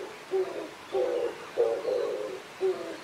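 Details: Oriental turtle dove at mating time, low rough coos: a short note, pause, then longer hoarse coos and a final short note, steady and unhurried.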